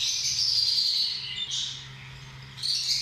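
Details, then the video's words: Lovebirds give a dense, shrill stream of high chattering chirps, pausing briefly before a fresh burst, over a low steady hum. "Amazing sound of love birds"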